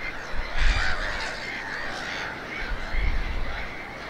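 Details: Black-headed gulls incubating eggs in a breeding colony, RSPB Snettisham, Norfolk, UK, 8 May 2018, late afternoon; crowded, grating chorus of overlapping calls, swelling near the start and again toward the end, over a low rumble.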